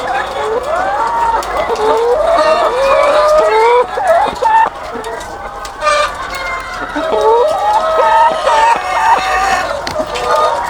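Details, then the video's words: Huge flock of egg-laying hens on a farm, overlapping cackles and quavering drawn-out calls, several birds rising above the crowd, with brief dips in the din near the middle. "The Sound of Thousands of Egg-Laying Chickens"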